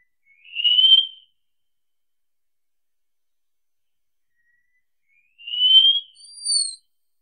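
A Wallcreeper sings thin, rising whistled notes, one alone, then after a long pause another followed by a sharp, very high note, in a quiet setting.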